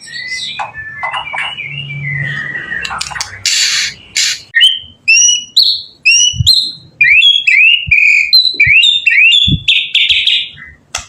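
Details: Energetic white-rumped shama song meant to provoke rival shamas into replying: varied sweet whistled phrases, quick upslurred chips and rapid twittering notes packed closely together, with faint low thumps underneath.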